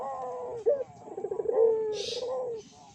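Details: Barbary doves heard on a lure track meant to excite other doves: a sustained low coo, a clipped note, then a pulsing roll that stretches into a long descending coo, with one brief high hiss.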